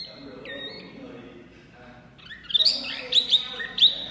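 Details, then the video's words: Loud, energetic song of a small wambi white-eye: a quiet high whistle and a dropping note at first, then after a lull a burst of bright, sharp high chirps and twitters, with a low murmur behind. "wambi mini gacor full suara kencang"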